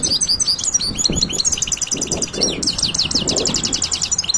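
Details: European goldfinch song: a rapid, continuous, high-pitched twittering of tinkling and buzzy notes, dense runs of quick repeated chirps with brief liquid trills, loud and close throughout, with faint low background rumble.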